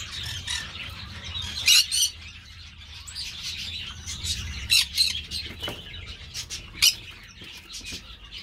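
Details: Green-cheeked parakeet kept by an amateur breeder: loud, harsh, broadband screeches at irregular intervals, the strongest near 1.7, 4.8 and 6.8 seconds, over continuous softer chattering and a low background hum.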